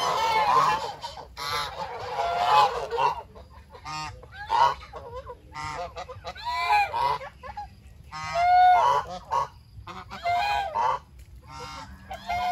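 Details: Geese raised naturally, honking while they eat: a busy run of harsh nasal honks and cackles, some notes clear and ringing, coming roughly every two seconds in loose bursts.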